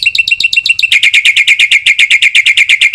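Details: Black-winged myna master training song with fill-in phrases, played to make other mynas respond: a string of crisp high notes that switches to a faster, brighter, buzzy train of repeated notes.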